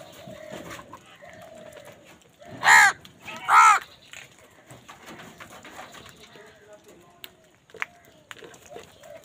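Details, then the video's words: In a scuffle over food, two loud, rasping caws come in quick succession, about a second apart, amid soft background chatter and faint whistled notes. "কাকের ডাক Crow Sound Crow ki Awaz Loudly | Crow bird Fight for Food"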